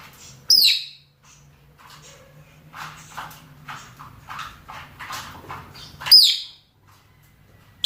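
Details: Male and female rosy-faced and Fischer's lovebirds giving mating calls: two sharp, strident shrieks about five seconds apart, with soft chattering and a faint low hum between them.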